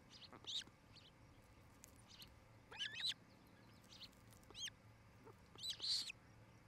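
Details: Osprey at its nest in Charlo, Montana, on a nest camera, evening of 8 July 2018: separated bursts of high, slurred whistles roughly every second or two, with quiet hiss and hum between them.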